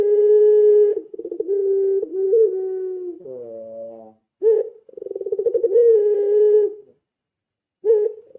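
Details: Puter pelung dove lure call, long deep sustained coos broken by rolling bursts and a brief descending tone, followed by a fluttering pulsed coo run and a final short note.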